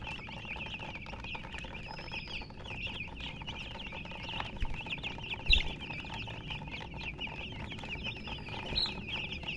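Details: Chorus of chicken chirping from colour chickens: many shrill, quick peeps overlapping without pause, a few sharper louder notes standing out near the middle and end, over low rumbling background noise.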